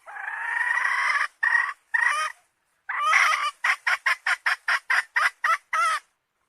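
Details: Hen cackling: one long harsh drawn-out note, two short squawks, then a fast run of about ten clipped, evenly spaced calls in the last three seconds.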